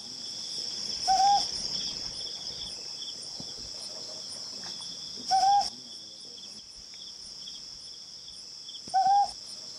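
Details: Ryukyu scops owl calling in July 2020: three short, clear, slightly rising hooted notes, evenly pitched, about four seconds apart, over a steady high-pitched insect and cricket chorus.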